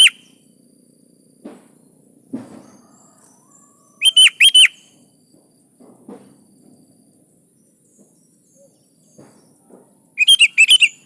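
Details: A sooty-headed bulbul (kutilang) in steady song, used to coax other birds to sing. It gives two bubbly phrases of three to four slurred whistles about six seconds apart, with scattered faint taps and knocks in between.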